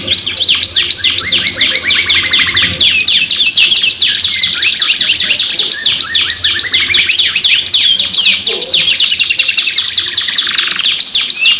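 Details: Canary lure song in a long, lively 2-in-1 style: dense, fast buzzy trills and sweeping repeated notes run without a break, loud and high, with rolling phrases changing every second or two.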